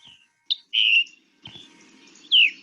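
A Scarlet Tanager sings short, hoarse, downslurred phrases, like a robin with a sore throat, over a faint low hum.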